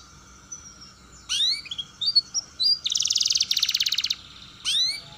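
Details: Canary roll song used as a lure to teach young canaries to sing and roll: thin high whistles and quick downslurred notes, then a dense buzzy rolling trill for over a second, ending with another sharp sweep.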